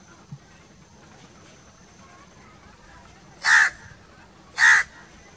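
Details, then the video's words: A crow gives two separate harsh caws about a second apart after a long quiet stretch. "1 hour crow crowing sounds - one hour crow nonstop crowing voice - natural crow bird sounds"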